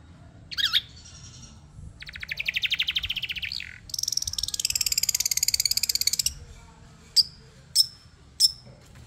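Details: Madura long-tailed shrike in training: a looping whistle, then long harsh buzzy rattles lasting several seconds, followed by three sharp high single notes spaced apart, with low background hum.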